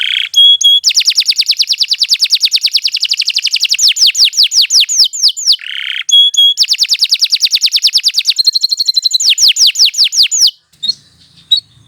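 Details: Canary in steady song for tutoring other birds. Long fast rolling trills break into rapid downslurred sweeps, with a buzzy note and a metallic tour repeated, then a few soft chips.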